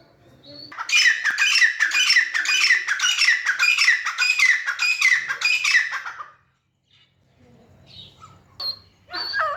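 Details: Grey francolin, locally called teetar, playing in mud and calling: a loud run of harsh, squawky, rhythmic notes repeated about eight times over five seconds, then a pause with faint low rumble and a few short squawks near the end.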